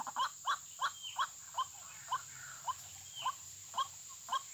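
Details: White-breasted waterhen lured toward a trapping site by playback, giving short, abrupt mid-pitched notes about twice per second, slightly irregular, with a faint high slurred whistle and steady electronic-like hum behind.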